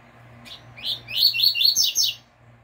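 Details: Double-collared seedeater, a caged bird, delivering the pure "tui tui" fibra song used to teach other caged birds: a quick run of about six high, slurred, rising notes lasting just over a second, over a faint low hum.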